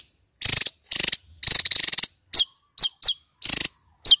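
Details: Kingfisher producing buzzy rattling bursts followed by several short, sharp single notes that drop slightly in pitch, all separated by silent gaps.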